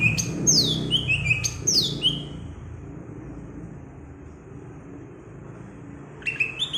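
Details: Green leafbird from Alas Purwo, Banyuwangi: a quick run of sharp, descending whistled sweeps over the first two and a half seconds, a pause, then a brief burst of high notes near the end, over a low rumbling background.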